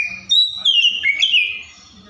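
An Oriental magpie-robin sings a brief, varied phrase of clear, slurred whistles that dip and rise, with a faint low rumble underneath.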